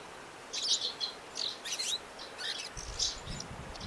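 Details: Eurasian crag martins, agitated and taking flight while vocalizing at a nesting site in the Alentejo, Portugal: bursts of high, scratchy chirps repeated irregularly, with a low rumble of background noise toward the end.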